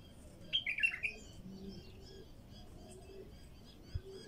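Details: One short liquid warbled bulbul phrase of several quick notes, from a raw song recording used to prompt wild bulbuls to sing. Distant thin whistles and faint low cooing follow in the background.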